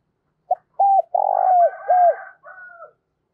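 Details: Spotted dove calling to lure wild doves, a vigorous bird said to coo all day in the "thổ cục đinh" voice: a short note, a hooked coo, a long burred coo and another hooked coo, with a rooster crowing over the end.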